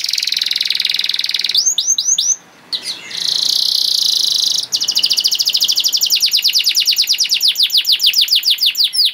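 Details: Canary song used to teach young canaries: buzzy high trills broken by a short gap, then a long run of very fast rattling notes over a faint hiss.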